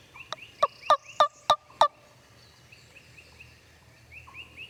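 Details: Wild Turkey gobbling in Tennessee woodland on timbered ridges, gobblers and jakes close by answering a wingbone call: six loud, harsh, rattling pulses in quick succession over under two seconds, followed by soft whistled songbird notes.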